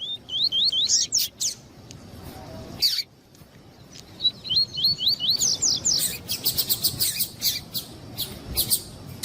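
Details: Double-collared seedeater male song with female calling, used to excite males: a run of quick slurred, rising-falling whistles, then a second whistled run and a burst of sharp, high, evenly spaced chirps.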